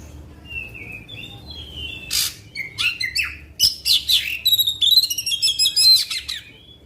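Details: Oriental magpie-robin singing a long burst to rouse other magpie-robins: soft high whistles at first, then loud rapid chattering, clicks and rising-falling whistled phrases in quick succession.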